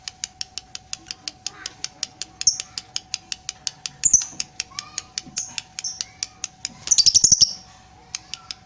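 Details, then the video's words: Long ngekek from a lovebird moving its tail: a rapid unbroken series of sharp high clicks, about four a second, with scattered squeaks and a dense rattling flurry near the end. "Love bird paud ngekek panjang ekor main"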